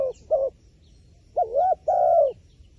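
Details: Wild pigeon giving two short low coos, then a wavering note and a long steady hooted coo.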